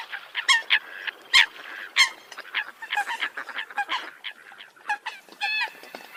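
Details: Flock of Eurasian coots giving loud, harsh, honking calls that overlap irregularly, roughly a note and a half each second, with softer chatter beneath.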